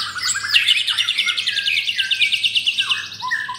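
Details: Captive white-rumped shama, one of four birds, delivering a sustained rapid high trill of rhythmically pulsing notes, the 'pastol' element, ending in a few lower whistled slurs; 9 June.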